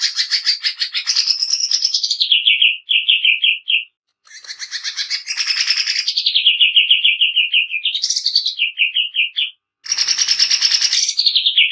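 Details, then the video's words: Greater green leafbird singing harshly and fast for use as a training recording: rasping buzzy phrases drop into rapid repeated chips, broken by two short pauses, then restart with grating rattles. "Cucak ijo nembak kasar"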